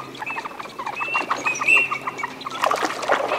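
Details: Eurasian teal displaying at Aiguamolls de l'Empordà wetland, Spain, on 25 December 2015: a few thin high whistles among softer chattering and clucking notes from other waterfowl.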